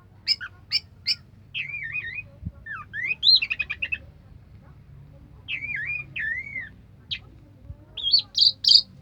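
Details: Anis merah (orange-headed thrush) song in the 'sampai teler' manner: varied wavering warbled whistles, stuttered clicking trills and sharp chips in irregular phrases, separated by brief gaps, over a soft hum.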